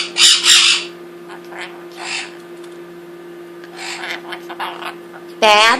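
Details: Indoor pet Quaker parrot, aged two and taught its bad words by another rescued Quaker, opens with two loud squawked syllables, goes quiet except for soft murmurs, then ends on a sharp harmonic cry; steady hum throughout.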